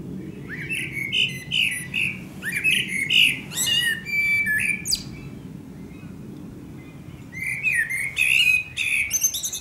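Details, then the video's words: Eurasian blackbird in song at sunset in Akersloot, Holland, 30 March 2018: several mellow warbled phrases, each closed by scratchy high twitters, a short pause, then more fluting notes; faint low rumble behind. "Singing Eurasian Blackbird"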